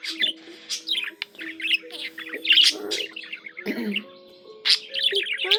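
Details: Budgerigar warbling in chattering phrases of squeaks, rapid trills and rasping notes, with a rising run of chirps at the end and gentle steady low tones behind.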